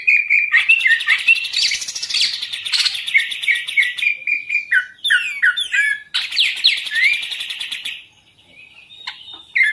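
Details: Green leafbird in captivity sings an energetic, sharp warble of quick chips and slurred whistles, tapering to quieter scattered notes in the final seconds.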